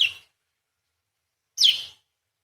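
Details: Parakeet giving two isolated harsh chirps about one and a half seconds apart, the second a sharp note sliding downward, with silence between.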